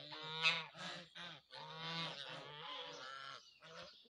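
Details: Geese honking, several nasal, harmonic calls overlapping in quick succession for about four seconds, with brief gaps between bursts and a short higher note near the end.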